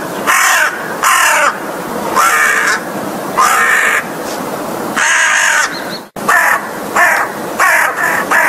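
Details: American crow calling in a series of loud, harsh caws, each about half a second long with a rasping, broad tone, repeated roughly every second with brief gaps and a short silent break near the end.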